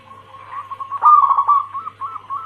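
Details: Female zebra dove of a local Bangkok crossing cemani line calling the male: faint quick cooing, then a loud vibrating coo, then a series of short rising coo notes.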